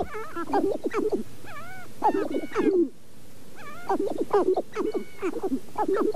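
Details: Sharp-tailed grouse at Namekagon Barrens, northern Wisconsin, recorded through two Sennheiser ME67 microphones on a Canon 5D Mark II: dense runs of low clucking and cackling, bent whining notes, a brief lull mid-way, then more chattering.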